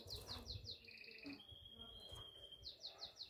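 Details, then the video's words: Singing canary calling a female while in breeding condition: a series of quick downslurred chirps, a brief trill, a long even high whistle-like roll, then more rapid chirps, with background rumble. "CANZONE DEI CANARINI"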